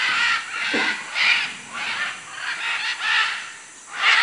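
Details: Raucous macaw calls from Manu, Peru: grating, hoarse screeches repeated roughly every half second to second, loud and broad, over constant background hiss.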